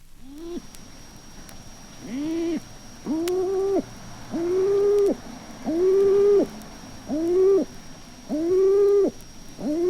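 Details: A hen feral pigeon gives a gruff, low, hollow coo, somewhat like a stock dove's: short arched notes about eight times in ten seconds at a fairly steady pace.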